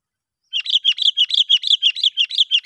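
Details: Sooty-headed bulbul calling as a trapping lure to attract others of its kind: a steady, rapid chatter of bright, clipped notes repeated about six times a second for two seconds, with nothing else audible.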